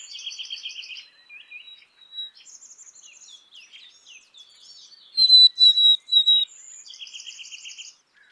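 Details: Black-capped chickadee giving buzzy, rasping dee notes and scattered chips, then one clear, high whistled phrase of three short level notes near the end.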